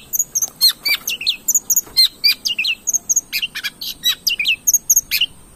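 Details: Long-tailed shrike (cendet) singing, used as a lure to draw other birds into song: continuous rapid, varied chatter of high squeaky chirps, sharp whistled flicks and rasps, around six notes per second.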